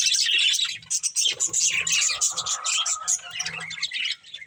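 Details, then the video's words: Continuous chattering from a breeding pair of budgies, rapid scratchy warbles and chirps, with a brief steady whistled tone partway through. "Cute Budgies Chirping Sounds"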